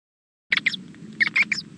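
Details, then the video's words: Female owl calling to her mate at the nest as a chick hatches, 2-5-13, 3:20 pm: after a silent start, five short harsh raspy bursts arrive in two clusters over a low steady hum. "Mrs B .Calls to Mr B"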